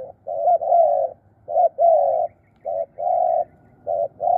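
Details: Spotted dove kept as a decoy for luring wild birds, cooing in the 'krun' manner: paired low notes, a short coo followed by a longer, gently falling one, repeating in clear groups.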